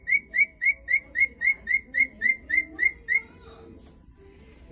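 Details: Male cockatiel hospitalized at a veterinary clinic whistles a quick run of bright, clear notes, about four a second, then falls silent, singing while relaxed and comfortable.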